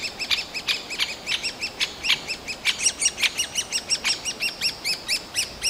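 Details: Noisy older Great spotted woodpecker nestlings in a tree cavity, urging their parents to bring food, forest park of Yekaterinburg, Russia, late June: fast, continuous chatter of arched, squeaky notes, several per second, with sharper higher calls mixed in.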